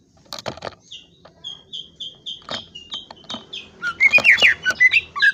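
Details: Greater green leafbird song: a steady run of high, slightly falling chirps that breaks into a loud, rapid, varied warble of sweeping whistled notes near the end, with scattered clicks at the start.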